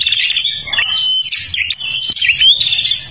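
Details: A Kalimantan prinia in full song, used as a lure recording: a fast, unbroken run of high chattering trills and sharp, thin whistles, bright and insistent throughout, with no other sounds intruding.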